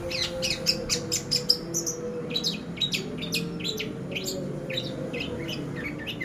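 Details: Long-tailed shrike lure, pastol style, for training: a fast run of sharp repeated chirps at the start, then scattered high squeaky notes, with a steady mid-pitched hum behind.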